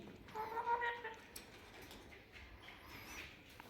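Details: A pet Indian ringneck parrot, prompted to imitate a cat, gives one drawn-out, nasal, meow-like note lasting under a second, then falls quiet against soft room noise and a faint click.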